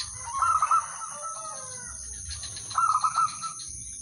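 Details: Zebra dove, udanmas silver type, singing to get other doves to join; two fainter pulsing coo phrases around two seconds apart, over low rumbling background noise and a steady high-pitched whine.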